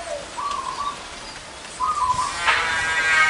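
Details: Wild zebra doves, big and small voiced, gathered together at one location. A low note, then two rolling trilled coo phrases, followed by a sharp click and a rising hiss at the end.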